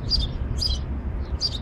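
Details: Three short, bright chirps from a male house sparrow, evenly spaced over a low background hum.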